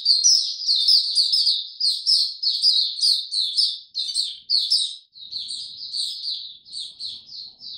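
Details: Bright, rapid high-pitched warbling from a white-eye in warm, very humid weather on 26 March 2022, loud at first and then continuing in softer, more spaced chirps.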